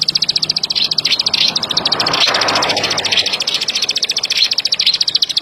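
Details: Plain prinia's fast clicking train of high, sharp notes runs throughout, partly covered midway by a broad wash of noise, then returns clear and steady to the end.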